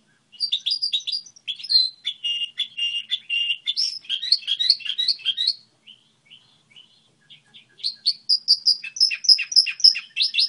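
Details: Goldfinch hybrid's model song: quick, sparkling twitters and a run of steady repeated notes, a near-silent gap with a few soft chips, then high, ringing trills resume.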